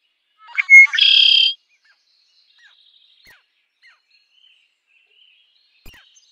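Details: Red-winged blackbird song: a couple of short sharp introductory notes followed by a loud, buzzy, harsh trill lasting about half a second, then quiet with a few faint distant chips and a soft click.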